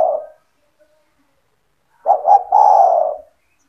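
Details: Spotted dove (tekukur) kept by the owner and calling vigorously to lure other doves: the tail of one coo, a pause, then a single full phrase of two quick soft notes running into a long, rich, slightly falling hoot.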